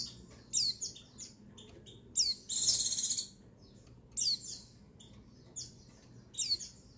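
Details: High-pitched calls of a female white-eye, meant to arouse males so they sing: brief, sharp, downslurred chirps every second or so, plus one extended shimmering high trill, over a faint low background hum.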